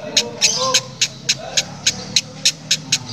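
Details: Harsh, strange cackling from a female lovebird, compared to a diesel engine, heard as evenly spaced hissy clicks roughly three per second over a low murmur of background voices.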